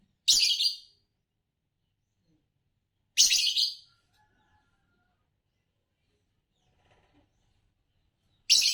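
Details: Harsh, scratchy chirps from a green Fischer's lovebird, a champion type in Indonesian bird song contests, come about every three seconds, three bursts in all against near silence.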